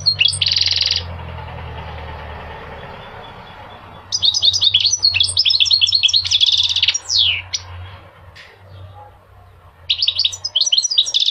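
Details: Goldfinch song intended to get males singing and to teach young birds: a harsh buzzy note, a quiet gap, then a dense stretch of rapid tinkling twitters and a falling slur, ending with more bright chattering phrases.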